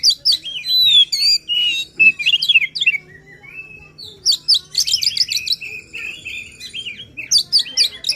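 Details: Kacer, the Oriental magpie-robin, in full emotional 'gacor' singing meant to prompt a lazy bird: rapid jumbled whistled phrases and slurred sweeps, a lull near three seconds, then renewed chattering bursts over a steady low hum.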